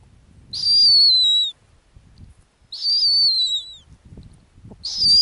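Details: Female snowy owl nesting on the ground in the Arctic. High, thin screeching whistles slur downward, each about a second long with a fainter upper overtone. Three calls come at uneven intervals over low background rumble.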